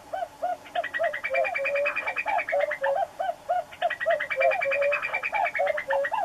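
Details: Common cuckoo song: a steady string of hollow, low cu-coo notes repeated rapidly, while another bird's bright, rapid trilling runs above it almost throughout.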